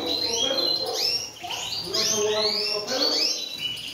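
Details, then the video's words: A collera, or team, of European goldfinches singing: bright, fast twittering phrases of sweet rising and falling notes and short trills, with brief pauses, over faint lower murmuring. "Collera de Jilgueros"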